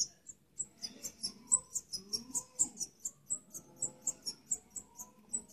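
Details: Goldfinch during breeding, a quick, tinkling high twitter of short bright notes and trills, nearly continuous, with faint low background rumble.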